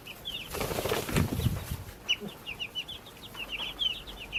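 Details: Baby chicks raised in a backyard, peeping in quick high chirps that repeat several times a second, after a burst of wing flapping and rustling at the start.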